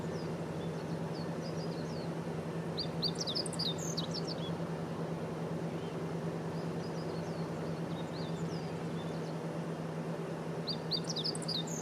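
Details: Meadow bunting singing at Kosugenuma in Uozu City, recorded on 9 June 2019; short, bright, high phrases of quick chipping and twittering notes return every few seconds over a steady low rumble of background noise.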